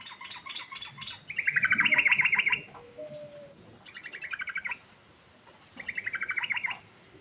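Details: Yellow-vented bulbul giving rolling ngerol song: three rich, chattering trilled phrases, each a second or more long, with fast bubbly notes and a brief lower whistle between the first two.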